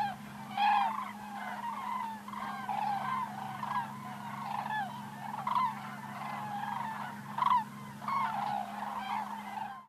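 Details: Cranes calling in flight, recorded in 2014: a series of loud, hoarse trumpeting calls from several overlapping voices, some rising and falling. Bursts come about every second, with louder peaks, over a steady low hum.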